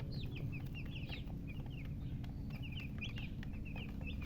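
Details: Freshly hatched chicks giving bright, high, falling peeps in quick bursts, several birds overlapping, with a low constant hum beneath.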